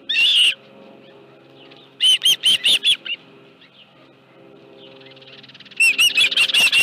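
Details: Osprey calling at the Dunrovin Ranch nest as a live fish is brought in, late afternoon on 25 July 2018: bursts of sharp, high piping chirps in quick runs of three to six, separated by quiet pauses.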